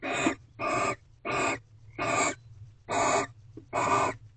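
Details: Harsh hissed screams from barn owls mating at an owl box in a corral, early morning of 24 February 2023: six rough bursts spaced under a second apart, low background hum.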